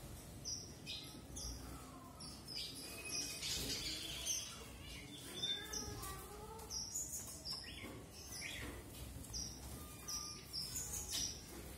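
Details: Red avadavat producing a busy run of high chirps and squeaky twitters, with some lower sliding notes in between and a constant soft background rumble.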